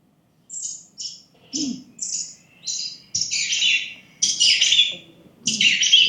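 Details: Catbird song, given to impress a mate or warn off other males, unlike its short upset call: a jumbled run of short, high, scratchy and squeaky phrases, each different, about one a second, over a faint room hum.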